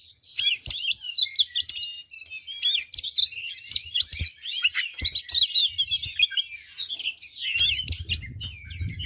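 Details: Oriental magpie-robin pouring out a dense, rapid fighting song to provoke rival kacer: fast varied chirps, trills and slurred whistles about four notes a second, with a low rumble at the end.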